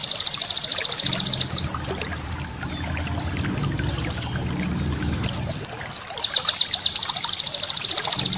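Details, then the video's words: White-eye training song with 'tembakan' volleys: an extremely fast, high buzzy trill, a pause with faint chips, a few sharp downslurred whistles, then the rapid rattling trill again. "masteran burung pleci"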